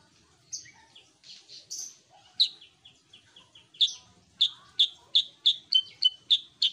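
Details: Sooty-headed bulbul in lively song: it opens with varied buzzy and whistled twitters, then settles into a quick string of about nine loud, sharp, high chirps repeated roughly three times a second.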